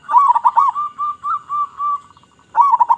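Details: Strong-voiced local zebra dove song for luring zebra doves: rolling warbled coos, then a slower series of evenly spaced smooth notes, and a fresh quick burst at the end.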